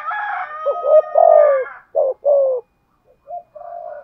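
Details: Decoy spotted dove giving 'thúc gù' coos: a harsher harmonic call opens, followed by repeated low hollow coo notes with falling ends and brief silences between phrases.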